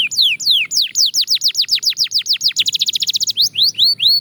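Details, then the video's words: Belgian canary singing in a training context, fast tempo: rapid series of high, downward-sweeping whistled notes, then a quicker trill of short notes and a few slower rising-falling sweeps, loud and clean with faint low background hum. "Shocking Canary Singing Progress"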